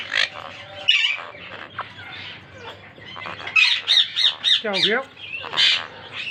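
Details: Monk parakeet pair kept for breeding, meeting in their first season: rough chattering squawks in quick runs, one rapid descending chevron-like series, then loud grating calls repeated roughly twice a second, steady low hum behind.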